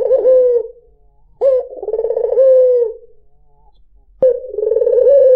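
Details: White dove (puter putih) song meant to attract other birds: the end of one coo, then a full phrase of quick throbbing pulses flowing into a long even tone, and a new phrase beginning after a pause.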